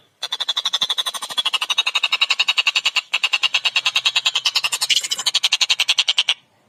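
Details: A collared kingfisher, locally tengkek buto, delivering one sustained six-second run of loud, harsh, rhythmically pulsed notes whose pitch dips slightly in the middle, with a momentary break partway through.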